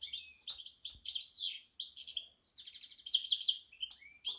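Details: Goldfinch crossed with canary pours out a continuous high, tinkling twitter mixed with short rattling trills.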